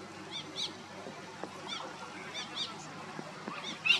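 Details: Torresian kingfisher at Cairns Esplanade, Queensland, Australia, subduing and swallowing a small crab whole, giving harsh, nasal, high-pitched notes, several spaced through a few seconds, over a soft background hiss.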